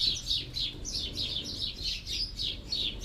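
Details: European goldfinch singing: a steady run of bright, liquid twittering phrases, high-pitched and repeated about three times a second with slight variation, over a faint background hiss.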